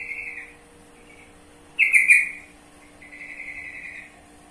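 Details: Trucukan (sooty-headed bulbul) giving clear whistled notes: a steady held whistle at the start, a short louder burst of bright trilled notes midway, then another long even whistle, over a quiet background hiss.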